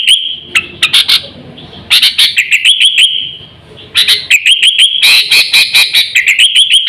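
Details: Sooty-headed bulbul lure call used to attract birds and train pet birds: quick bursts of sharp chirps and warbled notes, a sustained whistled tone in between, with a quieter pause midway before the chatter resumes.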